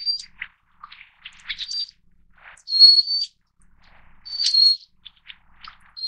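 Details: Little Forktail (subspecies fortis, endemic to Taiwan, living along mountain streams). Long, thin, high whistles stand out between patches of soft, scattered chirps and brief lower notes.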